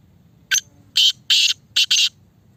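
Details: Speeder black francolin (kala teetar) calling: one short rasp, then four loud harsh grating notes in two quick pairs, over a soft low background rumble.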